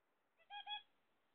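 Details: One short two-part nasal beep from a pet zebra finch kept while its owner waits for eggs. A soft lead-in note comes first, then a stronger harmonic double honk.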